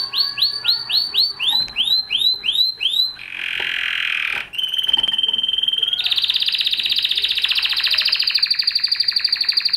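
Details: A Spanish Timbrado canary sings a string of about a dozen evenly spaced, arched, bell-like notes. It follows with a dense buzzy burst, a clear level whistle, and then a long, fast, metallic rolling trill.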